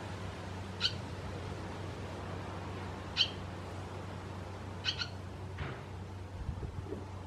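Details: Barn swallow recorded in Croatia: scattered brief high chirps, three or four in seven seconds, over a low background hum, with a faint descending note and soft rustling near the end.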